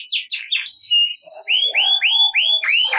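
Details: Energetic ngerek canary song for coaxing silent canaries: a few sharp falling sweeps, then arched rising-and-falling whistled notes repeated about three times a second.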